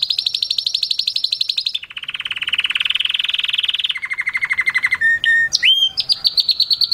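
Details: Canary song tied to mating and stimulating females: fast high trill dropping into a lower rolling trill, then another rapid trill, short whistled slides, and a final quick high trill.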